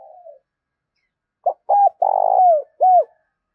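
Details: Spotted dove cooing, used to stimulate cooing and train a decoy bird: a soft low note, a pause, then short hooting coos and one longer drawn-out coo falling at the end, in a quiet setting.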